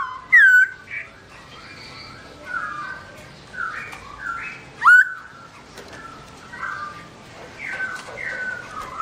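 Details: Black-throated laughingthrush (Garrulax chinensis), a kept bird singing while its owner is away: loud rich whistled phrases with sharp upslurred notes, scattered among softer warbled and chirping fragments in a quiet background.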